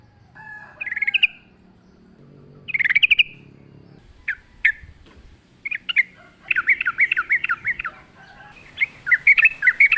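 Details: Sooty-headed bulbul singing in the wild: scattered short chirps and sharp notes build into fast, repeated bubbly whistled phrases that become steadily more continuous.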